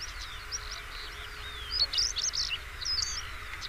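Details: European stonechat song with quick, squeaky, jumbled high notes, building to a louder burst of twitters in the middle and then a few softer phrases, over a continuous low background rumble.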